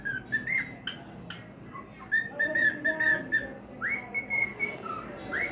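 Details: Whistled song of a male cockatiel: a lively series of clear, slurred notes, one long held whistle, then a sharply rising sweep followed by a short lower note, over faint room noise.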